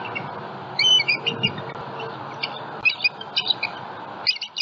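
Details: Wild bald eagles at a Southwest Florida nest holding eggs, recorded by a live cam in the morning of 27 February 2020 while a juvenile passes overhead; sharp, thin piping chirps in scattered clusters against constant hiss.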